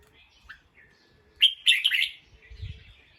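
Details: Alarm call of a bulbul made alert by a sound: two loud, harsh, stuttering bursts close together in the middle, with soft whistled notes before and a low rumble afterwards.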